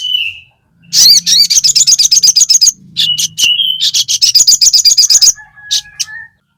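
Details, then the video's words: Sogon or crested jay, recorded as a lure to provoke others: long, fast, dry rattles of about four notes a second, broken by a short whistle, ending in a thin drawn tone. "burung sogon GACOR FIGHTER - EFEKTIF buat PANCINGAN sogon bahan cepat ngalas ngleper !! AUTO NEMBAK"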